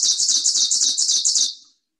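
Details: Ovenbird, a ground-nesting warbler of northeastern forests, sings its 'turkey turkey turkey' song: a rapid, ringing series of high two-note phrases, about four a second, loud throughout before fading away.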